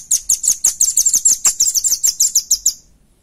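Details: Velvet-fronted nuthatch song used for luring and training other birds: a fast series of about fifteen high, sharp, clear notes, rapidly repeated at a steady pace, then trailing off into silence.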